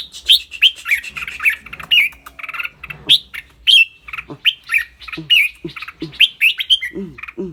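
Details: Clear-voiced red-whiskered bulbul in a cage sings and chatters rik-rik. Crisp whistled notes, some squawky, come in quick runs, and low rising-falling sounds appear near the end.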